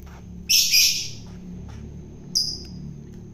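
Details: Wild-caught long-tailed shrike being hand-fed to tame it, giving two harsh, rasping, high-pitched bursts about two seconds apart, the first longer and louder, over a quiet low background hum.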